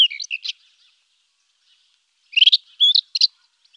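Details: Rufous-tailed scrub robin song: two short bursts of bright, twisting whistled notes high in pitch, a quick phrase, then a pause of nearly two seconds before a fuller, slurred run of notes; quiet background.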